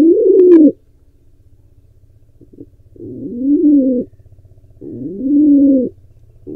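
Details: Pigeon, wild and free to come and go, attempting to breed at an Israeli barn owl nest camera: one strong short coo, a quiet gap with faint hum, then two longer rising, moaning coos.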